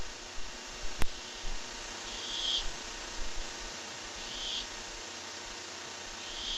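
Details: A barn owl caught by webcam on 23 July 2015 repeats soft, breathy hissing bursts, three spaced about two seconds apart, partly buried in hiss and hum, with a few knocks and a click near the start.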